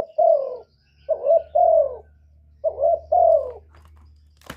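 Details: Spotted dove giving a provoking call meant to make other doves coo back: soft, mellow coos around a low-mid pitch, each slightly falling, delivered in paired phrases about every second and a half, with a faint low hum and a click at the end.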